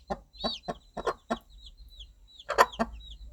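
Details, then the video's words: Mother hen clucking to her chicks: five firm evenly paced clucks, a pause, then a louder rough cluck pair, with faint high chick peeps. "Sound of Mother Hen Calling Her Baby Chicks"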